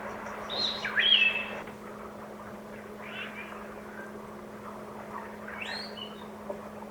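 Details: Wild Palm Cockatoo of the Australian subspecies, filmed in Archer River forest, gives a sharp, two-part whistle like a shouted "hello", followed by a few fainter calls, over a steady low electrical hum.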